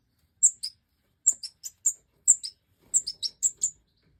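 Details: Major-form European goldfinch filmed while breeding in 2024: short groups of piercing high chirps, each pair stepping from a top note to a lower one, in a quiet background.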